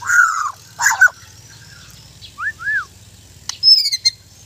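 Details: White-rumped shama, kept as a trained songbird, giving short loud whistled phrases and two clear arched notes, then a high buzzy trill near the end, with gaps of quiet between bursts.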